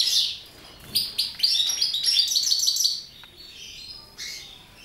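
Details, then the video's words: Captive mutation goldfinch singing: a high, bright twittering burst, a pause, then a longer run of rapid tinkling, buzzy notes for about two seconds, and a brief closing chirp. "Mutation Goldfinches"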